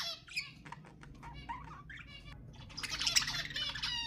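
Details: Pet budgie song used to encourage budgies to sing: sparse clicks and short chirps at first, then a dense, bright surge of overlapping chattering and squeaky warble in the second half.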